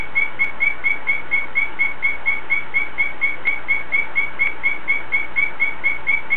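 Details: Greenback trivia calling: a thin, high chirp repeated steadily about twice a second, evenly spaced throughout, over a faint low hum.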